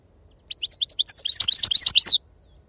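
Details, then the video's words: European goldfinch, wild 'khloui' Sarfati song: a single phrase of spaced high notes that speeds into a dense, loud twitter and ends on a downslurred note. "أفضل تغريد بندوق حسون خلوي أصيل الله يبارك لصحابو ما شاء الله لغه خلوي أصيل سرفاتي"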